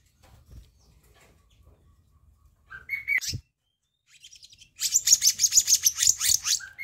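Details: Flycatcher-shrike (kehicap ranting) lure recording, used to draw birds in: a sharp click and short whistled notes, then a dense burst of fast, buzzy high chirps pulsing several times a second, ending on a level whistle.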